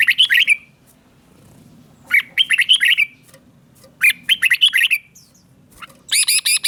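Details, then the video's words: Caged red-whiskered bulbul singing in the southern Thai master style, played to excite caged birds and teach young birds: bursts of bubbling, warbled phrases about every two seconds, with a closing run of harsh rapid broadband notes. "เสียงนกกรงหัวจุก สำหรับต่อ หรือ เปิดให้นกคึก เสียงเพราะๆ"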